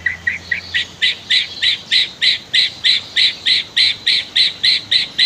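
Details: White-rumped shama song used as a master recording for training caged birds, set with river sounds: a steady series of short, bright, chopped notes repeated about three times a second, evenly paced throughout.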